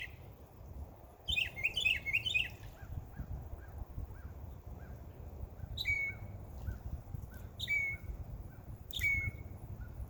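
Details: Birds chirping in a backyard in summer: a quick cluster of sharp twittering notes, followed by a series of soft repeated ticks and three louder downward-slurred calls spaced about one and a half seconds apart.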